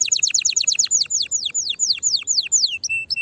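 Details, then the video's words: Canary singing used to prompt other canaries to sing: a quick trill of falling notes that slows into widely spaced long descending whistles, closing with brief low flat notes. "تغريد طائر الكناري هائج نار , لتحفيز على الغناء"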